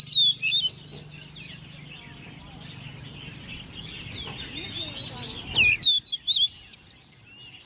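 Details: Caged Oriental magpie-robin, hand-raised and ten months old, in competition singing. Loud whistles come at the start and again near the end, with a falling note and rising sweeps, separated by a noisy spell of many chattering birds.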